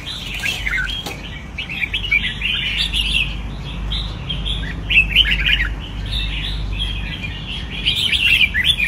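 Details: Red-whiskered bulbul singing from a training cage: dense, lively runs of sweet chirps and warbles, several phrases a second with short gaps, growing louder toward the end, a low hum behind.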